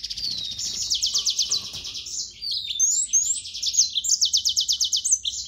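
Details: Continuous high song from a yellow-fronted canary, repeated rapid trills alternating with whistled slides and chirps, lively and unbroken for several seconds.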